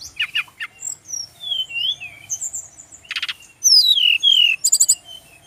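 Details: Male brown-chested jungle flycatcher song used for training birds: rapid chirps, then soft wavering whistles, a dry rattle, and a long clear whistle sliding downward, ending in quick high trills.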